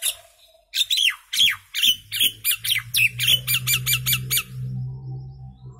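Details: Common myna singing a sequence of squawky, downward-sweeping notes that speed up and grow softer, over a steady low hum in the background.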